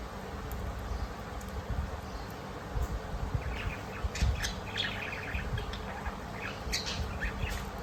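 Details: Parakeets chirping: clusters of short, bright, high chirps and twittering notes in irregular bursts, several overlapping, over a steady low rumbling background hum.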